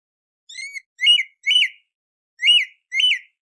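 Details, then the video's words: Song thrush singing before sunrise, as heard in hunting use: short whistled notes with buzzy overtones, the same note repeated in quick pairs and runs, about five notes in three seconds, with clean silence between them. "أفضل صوت سمن للفجر - تسحيب قبل طلوع الشمس Best Song Thrush Sound For Hunting Before Sunrise"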